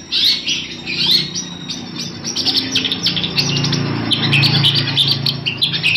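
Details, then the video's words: Scratchy, varied song of a long-tailed shrike meant for tutoring other birds, quick twittering and squeaky whistled notes strung together almost without pause, with a faint low hum in the background. "cendetnya maszee cocok buat masteran"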